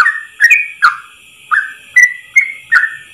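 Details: Short stretch of Yellow-vented bulbul 'ropel' song: slurred, downward-bending whistles roughly twice a second, with small gaps between them and a thin steady tone in the background.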